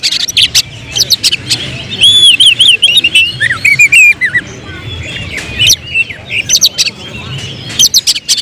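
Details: Oriental magpie-robin, caged and seen as a contest prospect, delivering tembakan song: rippling looping whistles and quick downward slurs early on, then a steady stream of sharp clicks and short chirps.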